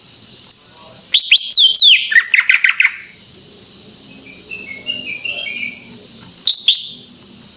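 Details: Greater green leafbird in full song: a loud tumbling burst of chattering, squeaky notes and rapid chirps. Softer, scattered high whistles and quiet pauses follow, then another brief sharp flurry.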